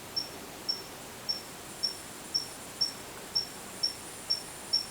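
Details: Siberian blue robin recorded years ago at a mountain pass on a forest road: a string of thin, high, identical ticking notes, about two per second, over quiet background hiss.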